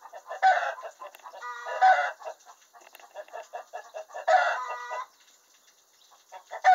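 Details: Hen in a henhouse announcing a freshly laid egg: loud, harsh, repeated cackling bursts with rising harmonic notes, each burst about half a second long and separated by softer clucks.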